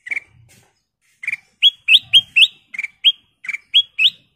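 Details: Kutilang emas, a golden bulbul, in vigorous song: a lone chirp, then a quick run of clear, rising whistled phrases mixed with doubled chirps, repeated roughly four times per second.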